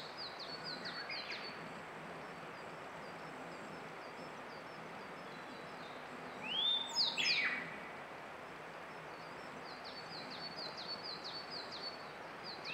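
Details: Grey bunting singing in May 2022: one short, clear phrase of rising and falling whistled notes, with another bird's thin, rapid chirping series before and after it.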